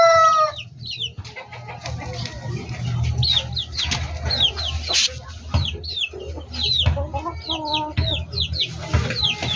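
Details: A flock of backyard chickens keeps up rapid, high-pitched downward peeps in irregular bursts, with occasional clicks and knocks and a persistent low hum underneath.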